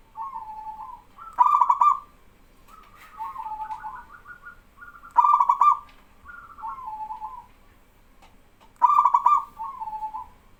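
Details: Male local zebra dove singing vigorously as other doves answer back and forth: loud rolling trilled coos about every three to four seconds, separated by softer wavering coo phrases.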